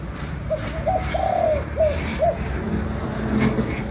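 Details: Kích bổi calling of a spotted dove in Vietnam: a phrase of soft short coos leading into a long steady coo and two clipped notes, set against continuous low background hum.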